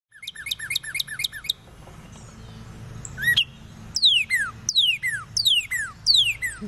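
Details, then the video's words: Male northern cardinal in a backyard, drawn in by a birdcall played on a computer, sings a run of loud, clear whistles that slide steeply downward, repeated about every half second, after an earlier burst of rapid short notes. "Cardinal birdcall using computer"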